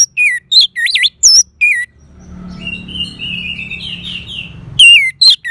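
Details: Loud, looping whistled notes from an orange-headed thrush in quick separate bursts, a quieter stretch of thin, wavering whistles in the middle, then more bright, sweeping notes at the end.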